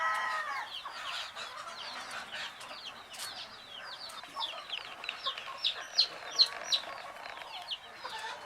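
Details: A group of hen's baby chicks settling to sleep, peeping in an overlapping chorus of high, quick falling notes, with a few louder sharp peeps toward the end.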